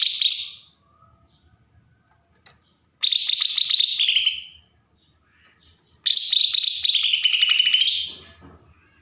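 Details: From Berau, Kalimantan, a Bornean green leafbird gives agitated song used to provoke untrained birds: three energetic phrases of fast high chattering spaced about three seconds apart, the last ending in a falling then rising sweep.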